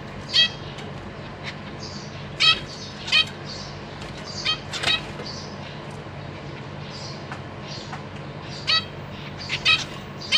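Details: Zebra finches in a cage, young birds recently out of the nest, April 2023: short nasal beeping calls spaced a second or two apart, mixed with soft rustles and wing flutters.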